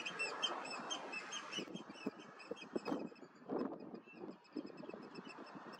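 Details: A group of Eurasian oystercatchers competes for a partner, screaming loudly during a rare fight. Many overlapping high piping notes are heard, loud at first, then more scattered, with some low thumps.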